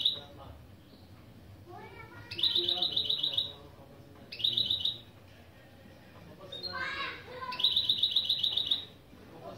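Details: Goldfinch-canary mule singing opening phrases, with three separate bursts of very rapid, high, tinkling trill about a second long each. Softer, lower sounds fill the pauses between the bursts.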